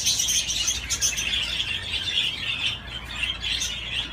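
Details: Budgerigar on its swing gives a continuous high scratchy warble punctuated by short sharp chirps in the first half.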